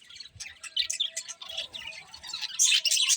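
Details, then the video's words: Pet budgerigars chatter in quick, scratchy chirps about four per second, building to louder, harsher squawky notes toward the end. "Cute Budgies Chirping Sounds"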